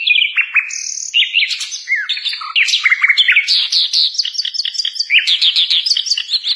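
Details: Sikatan londo flycatcher, kept as a vocal teacher for songbirds, delivering dense high song: quick slurred whistles, then long runs of rapid rising chips repeated in steady bursts.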